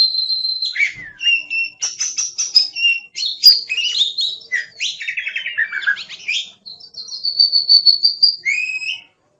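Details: Oriental magpie-robin, a kept songbird singing continuously: clear high whistles, rapid chirps, a fast descending trill, then a long steady whistle closing with looping notes.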